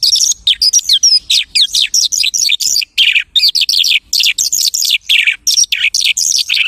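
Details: Lark song imitating other birds: a dense, rapid run of high chirps, trills and quick whistled sweeps, the phrases broken by brief pauses throughout.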